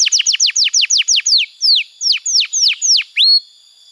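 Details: Young-canary tutor recording: a run of about fourteen clear, whistled downslurs, quick at first and then more spaced, ending on a short rising whistle.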